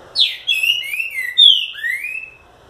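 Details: Trinca-ferro, or green-winged saltator, in strong song: a continuous loud phrase of clear whistled notes, some dropping, some rising, ending in a long upward slur, against a quiet background.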